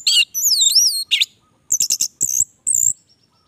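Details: Orange-headed thrush singing at length: wavering, looping high whistles, a short downslurred note, then clusters of sharp chirps and a final bright whistle, separated by short pauses.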